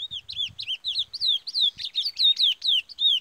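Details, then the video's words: Parazão song of a Curió: a steady series of loud, clear whistled notes, each slurring down then up, delivered about three per second with a rich, fluty tone and almost no background noise. "CURIÓ PARAZÃO"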